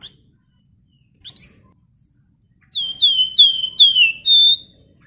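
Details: A lively singing scarlet minivet gives a few thin, high chirps, then a quick run of bright, slurred whistles that dip in pitch, ending on a held whistle.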